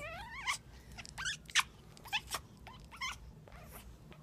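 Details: Indoor female African grey parrot in mating display, egg laid earlier the same day: quick rising whistles and wavering squeaks mixed with scratchy, breathy bursts, delivered in an irregular stream over a low background hum.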